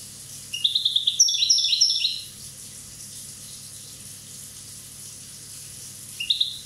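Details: Corsican European goldfinch, one year old, delivering a rapid run of high, tinkling twittered notes for over a second, then a pause and another short chirpy burst near the end, over faint steady hiss.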